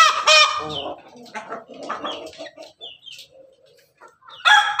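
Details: Ayam Ketawa (laughing chicken), a red rooster atop its cage, crowing: a loud harmonic crow, then soft stuttering chuckles and thin notes, and a bright, loud crow again at the close.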